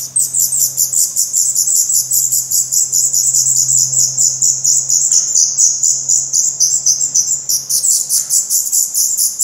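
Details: Black redstart chicks in their nest in Portugal, 16 May 2020, recorded close up: a busy, continuous stream of rapid high-pitched shrill notes, several nestlings overlapping, over a steady low hum.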